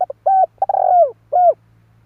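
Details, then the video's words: Spotted dove call used as a lure for trapping: low, mellow cooing notes, a short double note then three longer sliding coos within two seconds, over a faint steady low hum. "Chim cu gáy kích bổi nhanh nổi / Tiếng chim cu kích bổi hiệu quả"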